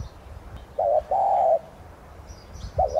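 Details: Decoy spotted dove of subspecies tigrina in thúc gù coo style, calling to make other doves sing; one phrase of a short double hoot and a long even coo, then the start of the next, over faint twittering.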